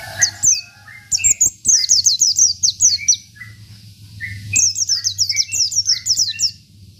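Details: Indonesian local Oriental white-eye in energetic 'isian' filler song used as tutor audio: long strings of high, quick descending whistles interleaved with lower chip notes, over a faint low hum.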